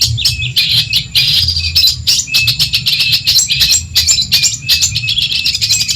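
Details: Genuine Madura long-tailed shrike song for training other birds: a busy, varied stream of high chirps, squeaky notes and short rattles broken by brief gaps, over a low electrical-sounding hum.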